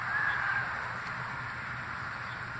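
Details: A rooster gives a morning wake-up crow, harsh and strained, loudest at the start and then trailing off, with a steady outdoor hum underneath.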